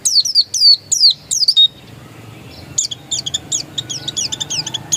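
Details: Oriental white-eye of the dakun variety in original voice: loud, high, downslurred chirps at first, then a short quiet gap followed by quicker, softer, clipped high twitters.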